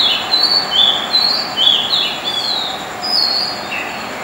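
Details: Night song of a white-spotted fantail in Dombivli town, Maharashtra, India: a tinkling series of high whistled notes stepping up and down in pitch, roughly five or six per second early on, then sparser, over steady hiss.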